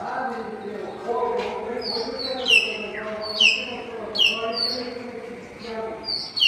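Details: Common hill mynas on a campus in afternoon light, 6 February 2024: loud, sharp whistles that drop steeply in pitch, given about once a second and then at a longer gap, over a busy chorus of other small birds and a low background murmur.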